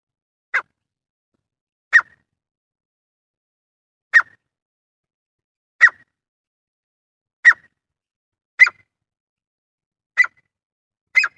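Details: Male grey francolin, a call used for hunting: single short, sharp notes spaced about one to two seconds apart, with a quick double note at the end, against silence.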